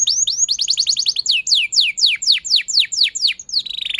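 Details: Canary song meant to prompt young canaries to learn and sing: a quick run of high chirps speeding into a trill, then a series of loud descending whistled sweeps about three per second, ending in a buzzy note.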